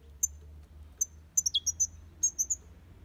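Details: European goldfinch in an aviary giving short, high, thin chirps spaced irregularly, one dropping downward, over a soft low hum.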